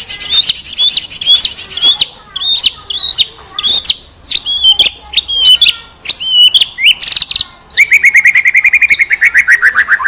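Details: Vigorous white-rumped shama song from a champion bird: clear whistled phrases, some rising and some falling, broken by short pauses, then a long rapid trill that descends steadily at the end.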